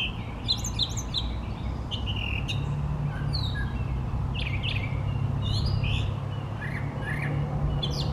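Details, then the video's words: Brown thrasher male singing for a long spell: varied chirping and whistled phrases, some clipped and some slurred, coming in a quick irregular stream, with a strong low engine-like hum throughout. "Brown Thrasher singing beautifully"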